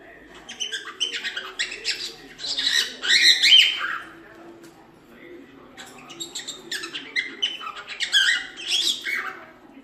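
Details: Cockatiel singing, with a bird being taught to sing: continuous raspy chattering and warbled phrases, rising to a louder burst in the middle, with a low hum underneath.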